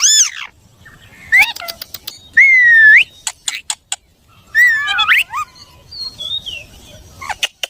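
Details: Parrot producing a varied medley of clear whistles, rising and falling slides and quick upward sweeps, mixed with sharp clicks and short chirps, in a quiet setting.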